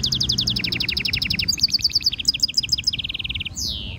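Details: Rapid stimulation song of a European goldfinch mule hybrid for training: a dense rhythmic trill of repeated notes, then a tumbling twitter and a steady buzzy rattle, ending in one long descending whistle.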